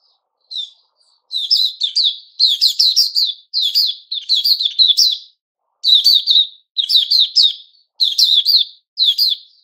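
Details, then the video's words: White-crowned shama with newly grown feathers delivering a steady run of rapid, twittering high phrases, each under a second, separated by short gaps, with no other sounds. "Puteh Raja season new feathers"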